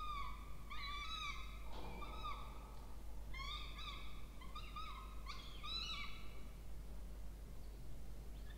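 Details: Two peregrine falcon young begging during a feed in a water-tower nest box, Orange, New South Wales, Australia, 20 October 2024; repeated harmonic arched squeals in quick bursts, fading to near quiet toward the end.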